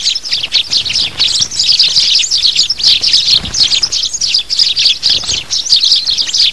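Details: Adult sparrows, in a lure recording for trapping adult birds: bright, high chirps in clustered bursts, overlapping as several birds call together, with soft low rustles in the background.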